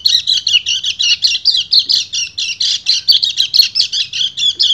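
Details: Rapid chattering song of a male white-eye calling a female during breeding condition, made of quick, high, buzzy notes repeated about five per second in a steady, pulsing run.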